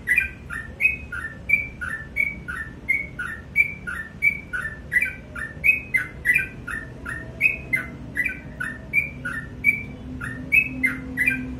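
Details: Morning song of a sooty-headed bulbul, lively and persistent, with two-note phrases of a clear high whistle then a dropping lower note, repeated roughly every half second over a low hum.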